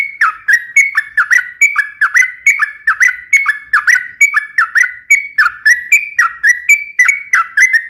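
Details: Persistent yellow-vented bulbul song for luring and coaching other birds: a long unbroken run of clear whistled notes in paired up-down patterns, roughly seventy phrases a minute, clean and without background noise.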